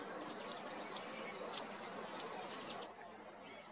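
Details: Long-tailed tit (Aegithalos caudatus), call.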